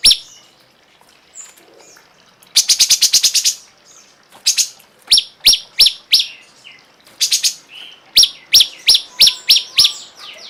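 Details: Cungkok song: a rapid buzzy high burst, then a varied string of sharp high chips and slurred notes in quick succession.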